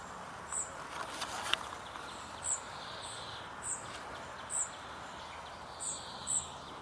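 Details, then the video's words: Young Spotted flycatcher begging for food from its mother: short piercing high squeaks repeated every second or so, plus one sharp click early on, over quiet steady noise. "Птенец серой мухоловки выпрашивает у мамы еду"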